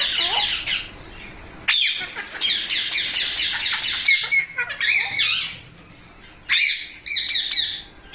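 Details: Harsh parrot squawks in sustained, rattling chatter, broken by abrupt silences, with several scratchy screeches layered over the noisy stream and a last short burst at the end.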